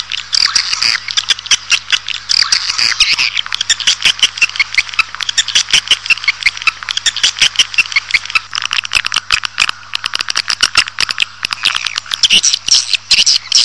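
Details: Swiftlets twitter densely in a lure call meant to attract colonies into a building: high, buzzy chirps laced with rapid dry clicking, a constant overlapping chatter with no clear pauses.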